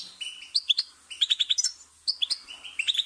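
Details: Goldfinch song with drawn-out buzzy trills and quick liquid chirps in short groups, lively and twittering, separated by brief pauses.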